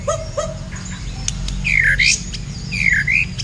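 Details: Captive blacktail white-rumped shama dueling a kapas tembak for song tutoring: two short low whistles, then paired bright notes that dip and rise again, over a low background hum.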